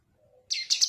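A cucak kinoi gives a brief burst of bright, high, chattering notes in quick succession after a faint low hum.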